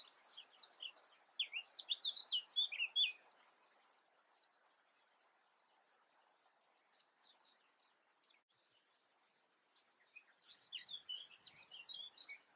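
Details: European crested tit in the Eifel, Germany, giving bursts of rapid high, thin notes, a dense chattering run at the start, a near-silent gap, then another purring burst near the end.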